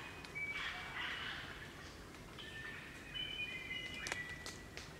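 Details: Wild Crimson Rosellas, a group chattering and singing in Barrington Tops National Park, New South Wales, Australia: pure whistled bell-like notes at several steady pitches, some overlapping, with rough chattering bursts and sharp squeaky clicks between them.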